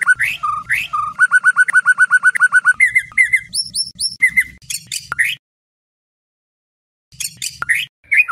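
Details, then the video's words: White-rumped shama song as night training lure for Indonesian contest birds: varied whistles, a fast trill of repeated notes, high piercing phrases, then a pause before further short bursts. "Murai Batu, Pancingan Malam untuk Menjadi Fighter Sejati"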